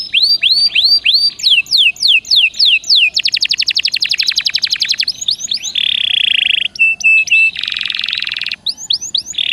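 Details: Canary song meant to encourage a silent caged canary: rising whistled sweeps, rapid rattling trills, a long buzzy churr and a steady high whistle alternate in a varied, energetic sequence.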